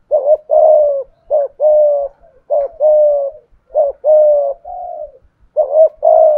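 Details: Cooing decoy spotted dove with a top-rated 'thổ' voice: four to five short-long coo pairs, each a quick rising note then a sustained mellow tone, one softer falling coo between.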